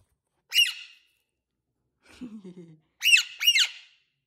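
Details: Alexandrine parakeet kept indoors, giving loud, shrill, grating squawks: a single one, a short low murmured phrase, then two squawks in quick succession.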